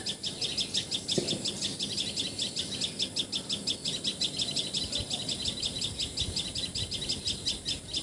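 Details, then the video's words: In Assam, India, a common tailorbird, locally patxhia sorai or tiposi sorai, calls with a bright, rapid series of loud, high, repeated notes, nearly three a second, against quiet background and one brief thump. "Call Of Common Tailor Bird!"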